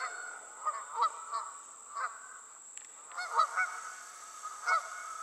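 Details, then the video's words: Flying geese giving repeated nasal honks, single and paired, at uneven intervals, with a constant high thin tone behind them. "Geese On The Wing"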